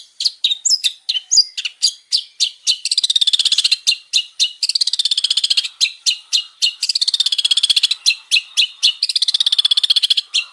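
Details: Male long-tailed shrike, a champion bird in full song, used as a lure recording: varied bright chattering song with rapid repeated notes, harsh buzzy trills and mimicked phrases, about four notes a second.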